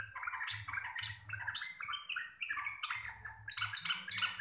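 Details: Yellow-vented bulbul (Pycnonotus goiavier), a local Javan bird, sings a long, fast, bubbly chatter of short warbled phrases in the mid-high range, clear, loud and bass-rich, with a low droning hum underneath.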